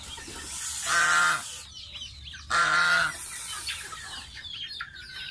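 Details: Young pet domestic goose taking a bath: two loud, harsh, nasal honks about one and a half seconds apart, each lasting under a second, over a constant background of many small high chirps and peeps.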